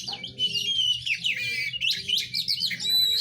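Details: Oriental magpie-robin (kacer) singing a rapid, varied stream of bright whistled phrases with sweeping rising and falling notes, dense and continuous, with a faint low hum underneath.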